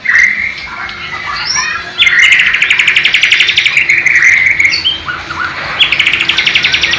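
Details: White-rumped shama, Borneo type, East Kalimantan, singing mimicked Sikatan londo or nightingale phrases recorded on a low-resolution camera: short whistles and squeaks, then several bursts of rapid staccato trilling with sliding whistled notes between them.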